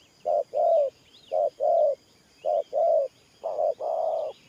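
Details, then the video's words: Spotted dove giving four deep paired coos in the Thổ Pha style, each a short hoot followed by a longer mellow note, with a faint whistled chirp from another bird. "Thổ Pha Nước Gù AE Tự Thẩm.Clip288_ Nết Gù coi sướng mắt"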